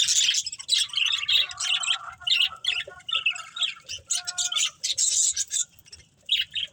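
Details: Breeding pair of budgerigars keeping up a lively stream of squeaky chirps and warbles, some short whistled notes mixed in, the chatter rising and falling in loudness.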